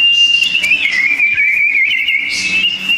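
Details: Sooty-headed bulbul duelling song, loud and tightly packed: one sustained, slightly wavering whistled phrase that dips and rises again over three seconds, with soft chirps behind it.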